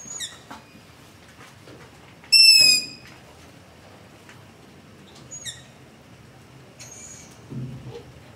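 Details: Long-eared owl giving begging calls in the dark near a house, recorded with a ZOOM H5 and LOM Usi Pro: one loud shrill squeal among several fainter high squeaks scattered over eight seconds, with faint low rustles.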